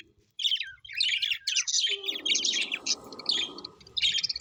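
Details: Colorful pet budgies twitter in lively bursts of high, squeaky chirps while a rushing mid-pitched noise rises in the background for a couple of seconds.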